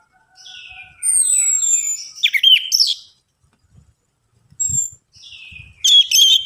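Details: Orange-headed thrush song used as a lure to coax reluctant birds into singing: clear high whistles sliding downward, then loud varied chirping phrases in bursts, a pause, and another rising burst, with faint low thumps.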